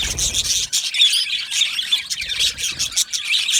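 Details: Yellow male budgerigars in an aviary colony chirping: a dense, high chatter of short warbled notes and squeaks, many birds calling at once with constant overlapping twitters.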